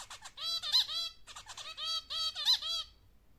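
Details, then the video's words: A zebra finch sings the same short phrase twice, a quick run of nasal, buzzy notes with a few bright, squeaky ones, all over about three seconds. "Chant du Diamant Mandarin / Song of Zebra Finch"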